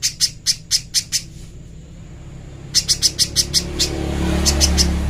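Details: Clean master recording of a little spiderhunter: two quick series of sharp, high-pitched chipping notes separated by a pause, then a few more notes as a low rumbling noise rises toward the end.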